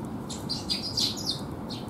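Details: Young sparrows coming for food at a rest area on a rainy afternoon, 27 May 2021: high, thin chirps, several in quick succession, some overlapping, over a low steady background hum.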